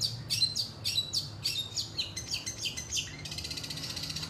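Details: Long-tailed shrike song in the rajagetar tembakan style, linked with pelatuk phrases. Bright, high, downslurred chirps repeat about twice a second, then give way to a rapid, even, buzzy rattle near the end.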